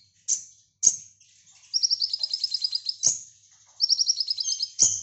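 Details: Brown-throated sunbird singing in the 'nembak' (shooting) style, used as a tutor recording for lovebirds; sharp, very high single chips alternate with two rapid, evenly spaced trilled bursts of about a dozen notes each, against a quiet background.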